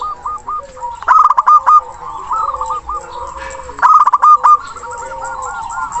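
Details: Local zebra dove with a strong, long-breathed song calling a rival as a singing lure; two loud stuttering coo bursts stand over softer rolling coos from several other doves.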